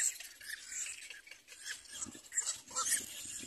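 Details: Nestling little black cormorants begging as they compete for food from their mother, giving dense, hissy high squeals and chittering that overlap continuously, with a few softer low knocks in the background.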